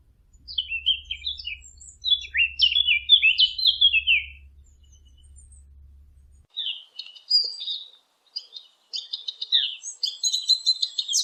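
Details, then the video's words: Birds chirping: a series of quick, descending whistled notes, then a pause and more scattered, higher-pitched twitters; a low hum fades out midway. "نصف ساعة من صوت العصافير الجميل ، Yarım saat kuş cıvıltısı ، Half an hour of birds chirping"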